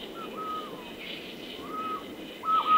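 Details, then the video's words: Golden-headed quetzal at Alto San Miguel: clear, pure whistled notes, each a short held tone slurring slightly up or down, given three times in under three seconds, the last loudest, over soft forest hiss. "Guía Sonora de Aves - Alto San Miguel: Pharomachrus auriceps, Quetzal Colinegro"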